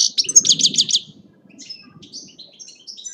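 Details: Singing goldfinch at Agrinio, Greece, opening with a quick series of about six loud, similar high chirps, then softer, sparser whistled notes, over a low background rumble.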